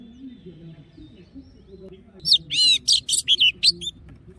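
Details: Oriental magpie-robin in forest-voice song, played to train voices and rouse male birds. Murmuring low background first, then a loud burst of rapid buzzy trills and downward whistles in quick separate phrases.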